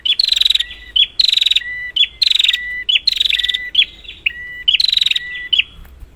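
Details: Prinia calls used as a lure for prinias that have gone quiet: short level whistles alternating with loud, buzzy, rapidly pulsed bursts, repeated about once a second in a steady run.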